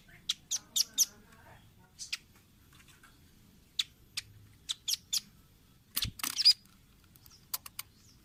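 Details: Velvet-fronted nuthatch on a training recording for caged birds. Short, very high, clicking chips come in loose clusters, with a brief louder rustling burst near the end.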